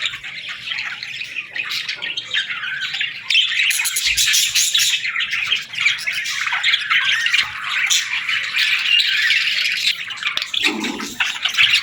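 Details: Several baby budgies call for food in a long unbroken stream of harsh, buzzy chirps and squawks, intense and overlapping, with a brief lower murmur near the end.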